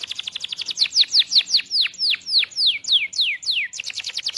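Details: Belgian canary singing for young birds to learn from: quick repeated notes give way to a slower series of clear downward-sweeping whistles, then fast chips again at the end.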